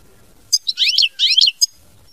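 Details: Loud, close European goldfinch giving a mama binette phrase: clipped opening chirps, then two dense bursts of buzzy, sliding twitters, ending on a sharp note.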